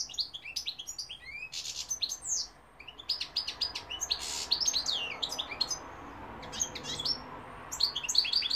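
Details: European goldfinch singing a fast, continuous twittering song of sharp high chirps, rising slurred notes and brief buzzy bursts, with almost no pauses; faint steady background hum.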